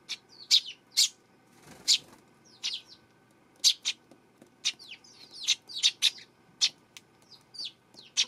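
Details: Eurasian tree sparrow, September 12: a busy run of loud, sharp chirps and tweets, some hooked and downslurred, coming irregularly about every half second over eight seconds.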